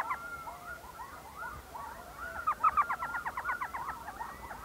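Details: Elf Owl at its nest hole in a saguaro cactus, found at night on an evening owling trip in the Salt River area near Mesa, Arizona: a rapid run of short yelping, chattering notes, several per second, getting louder toward the end.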